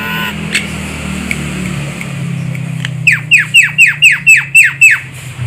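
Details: Javan myna calling as a trapping lure, a quick run of eight harsh descending squawks at about four per second after a few faint clicks, over a steady low motor rumble.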